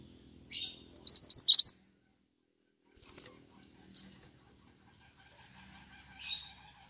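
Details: Pied triller, recorded as training audio for songbirds, gives four fast rising whistles amid scattered short high chips and long near-silent gaps.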